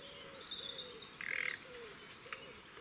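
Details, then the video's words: At dawn on 30 April 2017 at Woods Mill Nature Reserve, Henfield, West Sussex, a hidden Common Nightingale gives a brief, dense, frog-like croaking rattle mid-phrase among thin high whistles, over low cooing from other birds in the dawn chorus. "a Nightingale with the ability to sound like a frog croaking!"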